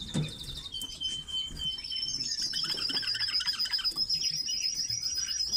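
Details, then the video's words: Captive red-billed leiothrix singing: quick warbled, rising and falling whistled phrases over a thin, steady high tone, with soft chirps around. "Китайские соловьи"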